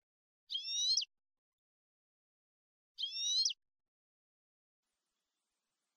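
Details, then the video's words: European goldfinch, caged bird tutor recording of the clean Malagueño song style: two brief, bright, buzzy harmonic notes about two and a half seconds apart, separated by silence. "NUEVO CD MALAGUEÑO LIMPIO PARA EDUCAR JILGUEROS"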